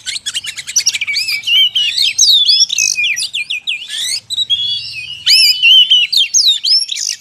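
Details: Oriental magpie-robin lure recording, made to draw wild birds closer in the forest: dense, fast stream of high whistled notes, rising slurs and buzzy trills packed together, with hardly a pause, loud throughout.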